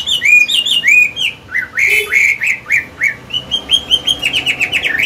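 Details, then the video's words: Chinese hwamei, an old wild bird with a strong forest voice, sings to train caged birds: a dense stream of rich whistled notes, each curving up then down, speeding into a rapid trill at the end. "Họa mi già giọng cực hay, luyện bổi, kích trống hót hay"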